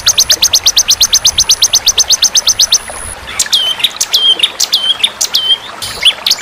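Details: White-rumped shama, a competition bird, in a training compilation with fighter birds: a fast run of evenly repeated sharp chips, then loud downward-hooked whistled notes in separate phrases.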